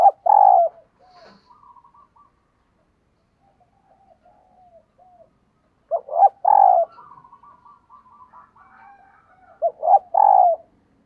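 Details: Female dove calling to attract males, repeating a loud burst of deep pulsed coos about every five seconds, each followed by softer trailing warbling notes; quiet between phrases.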